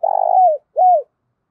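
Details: Part of a spotted dove decoy's 'giọng thổ' song, used to call wild doves: a vibrating coo that smooths into a falling slur, then one clean arched coo.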